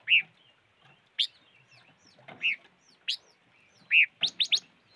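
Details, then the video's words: Irregular short chips and sharp high ticks from a five-coloured bird, ending in a quick cluster of three rising ticks, with a low background rumble. "Suab noog rheeb quaj chim ngũ sắc"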